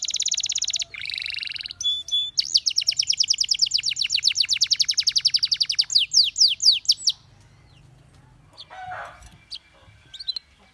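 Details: Canary song opening with a level buzzy trill, a brief pure tone, then a long rapid roll of sharp repeated notes about four per second faster, with slower swooping notes before falling silent; faint chirps follow.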